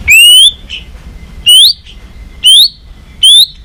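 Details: White-rumped shama (murai batu balak 6) in a bird-trapping lure recording: four loud, identical rising whistles, each followed by a soft short note, spaced about one second apart.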